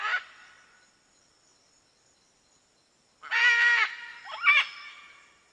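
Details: Rough macaw screech, then a long lull before a loud harsh squawk and a quick, wavering, higher note, with echoing tails.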